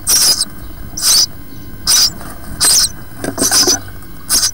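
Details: House sparrow nestlings, four in a nest box on day six, skin darkening as pin feathers emerge, give bursts of harsh, hissing chirps roughly once a second in uneven rhythm over a low background rumble.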